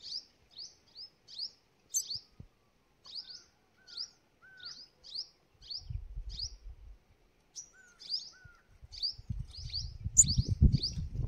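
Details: A sunbird in forest gives thin, high chips about twice a second, with a few soft lower whistles between. A low rumbling noise builds toward the end.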